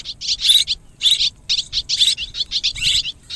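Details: Mixed swiftlet calls, heard as short bursts of bright, high twittering chirps separated by brief silences, each burst lasting under half a second.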